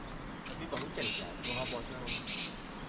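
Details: A partridge on a rock near Sagar village, Chamoli, Uttarakhand, in the Himalayas on the Rudranath trek, gives sharp, high "chink" notes in four quick bursts over about three seconds, with a man talking faintly.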